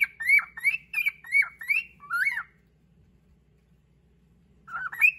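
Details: A pet cockatiel gives a 'song attack' on another cockatiel to take its favourite perch: five quick rising-and-falling whistled notes, a lower warbling phrase, a pause, then more whistling.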